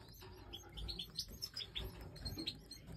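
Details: Major European goldfinch feeding its chicks in breeding time; a fast run of short high chirps, several per second, over low rumbling and shuffling noise.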